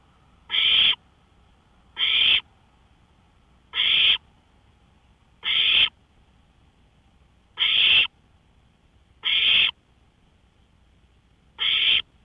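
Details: Owl out on a porch at 1:53 AM, May 5, 2013, repeating short harsh rasping screeches, seven in a row about every 1.7 seconds, steady and uniform against a silent night.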